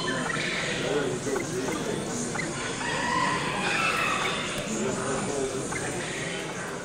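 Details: Golden pheasant calling: short, harsh notes scattered through a noisy background, with brief tonal strokes and clicks at irregular intervals rather than a steady song.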